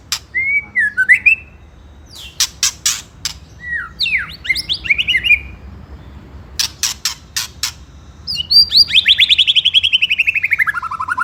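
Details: Lure song of a white-rumped shama meant to rouse rival birds to anger, in the ketrekan style: looping whistled notes, bursts of dry clicks, then a long rapid rattling trill that slides downward.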